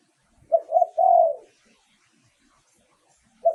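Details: Spotted dove used as a decoy for luring wild doves in Thailand, giving one low, mellow three-part coo, two short notes then a longer drawn-out one, with a new phrase starting at the end.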